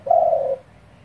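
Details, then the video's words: Spotted dove calling fast to provoke rival doves, recorded 11 May 2021: a single short, low, steady coo lasting about half a second, falling slightly at its end, with faint background hiss. "cu gáy thúc dồn kích bổi cực nhanh"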